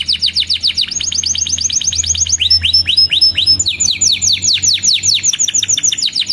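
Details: Canary song, male, used to prompt and train young canaries to sing and to revive silent or stressed birds: rapid series of clear whistled downslurs repeated quickly, shifting into rolling trills and varied phrases, with faint low hum behind.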